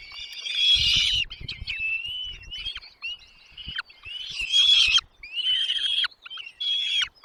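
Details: Nest chicks beg as mom and dad bring food. Loud, high, rasping squeals come in uneven bursts split by silences, along with thin whistled strands and sharp downslurred chips. Rustling sounds near the start.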